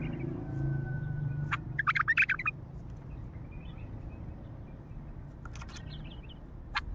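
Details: Untrained bulbul with a heavy, deep throat gives a brief run of rapid, clipped warbling notes, then sparse chirps and a thin whistled note against constant low background hum.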